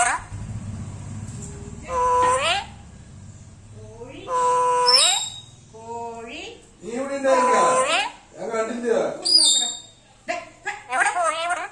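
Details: A pet black-capped lory (Lorius lory) talks in short, high, speech-like bursts, about five phrases with pauses between them, reportedly its first time talking like this; a person's voice is heard nearby.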